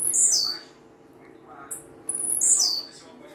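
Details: Blue-black grassquit singing a lot: high buzzy phrases sweeping downward, with a brief high tick between two phrases and a constant low hum behind.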